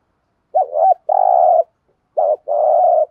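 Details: Low cooing of a spotted dove in the 'thúc gù' style used for training decoy birds, two phrases of a bouncing double note followed by a sustained, slightly throbbing coo.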